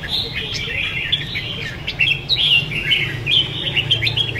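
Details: Two caged red-whiskered bulbuls singing vigorously: a continuous jumble of warbled, chattering phrases at mid-high pitch over steady low background hum.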